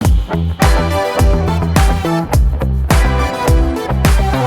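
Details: Upbeat funk-style music with punchy plucked guitar, bass and drum hits at a brisk regular beat; no animal sounds.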